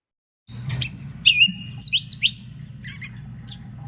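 A Gray Catbird sings a quick jumble of squeaky, scratchy phrases, each different and given without repeats, over a low steady hum.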